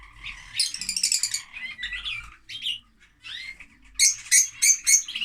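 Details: Loud lovebirds giving rapid, shrill tweets and buzzy chatter, then a final run of sharp, piercing chirps repeated several times a second.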